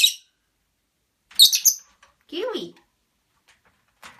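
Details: A lovebird named Kiwi, kept with two other lovebirds, talks: shrill, scratchy chirps, then a brief warbling, speech-like phrase that rises and falls, with a faint chirp near the end.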